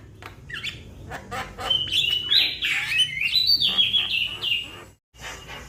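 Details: Juvenile Javan myna calling out to companions, giving a fast run of scratchy chirps that merges into a loud, wavering whistled phrase for about two seconds, then a brief silence and more chirps.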